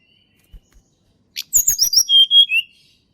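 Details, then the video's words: Wild Sunda robin song, used to prompt birds that rarely sing. Faint whistle and taps lead into rapid clicks with high falling notes, then clear sustained whistles dropping in pitch. "TLEDEKAN GUNUNG SUARA ASLI ALAM"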